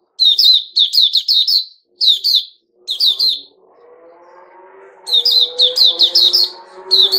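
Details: Kept sooty-headed bulbul (Puteh Raja), recorded 10 July 2021, pours out rapid clusters of high, sharp chirps. A low droning hum, like a passing engine, rises underneath midway through.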